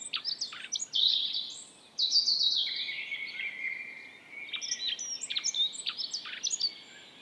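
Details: A dunnock in Estonia sings a quick, high, thin warbling jingle lasting a couple of seconds, with scattered sharp chirps from other small birds in the background.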